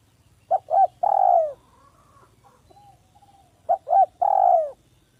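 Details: Village spotted dove giving its smooth, clear lure call. Two phrases of gentle coos, each two short notes then a long, slightly falling coo, separated by about three seconds of near silence.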